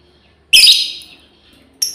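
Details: One shrill, rasping cry from a female lovebird hailing its companions, followed by the start of another high squeal.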